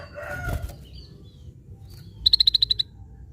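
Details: Scaly-breasted bulbul giving its characteristic sound: a quick burst of about eight sharp, high, evenly spaced ticking notes lasting roughly half a second, after faint softer bird calls and low background rumble.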